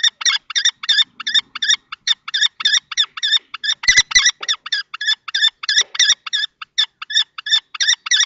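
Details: Common kestrels at a nest box in Théding on 20 March 2024. An older adult male fights a young male in juvenile plumage for the box. Rapid, harsh kee-kee notes repeat about three per second, with brief gaps.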